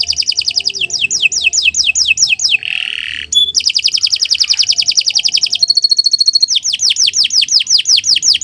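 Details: Canary song performed as a model for other birds: rapid falling whistled sweeps, a brief harsh buzzy burst, a long, quick, ringing trill, a thin level high run, then more descending sweeps.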